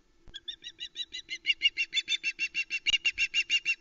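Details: At the Loch Arkaig nest, 1 Sep 2020, a female osprey calls as her mate delivers a live flatfish; nest-cam sound of quick high whistled notes that start soft and swell louder, about three per second, with a faint low electrical hum.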